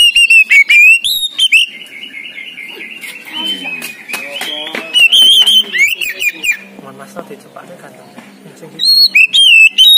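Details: Oriental magpie-robin of the poci type, a caged competition bird singing vigorously. Loud clear whistles and sharp rising notes open and close, with a quieter warbled stretch of slurred phrases between. Faint background talk.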